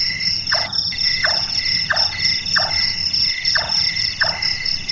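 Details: Six hammer-like chonk notes from a large-tailed nightjar at night, each a quick downward knock, repeated at a steady pace. Its call is said to resemble someone doing carpentry. Ringing cricket trills run throughout.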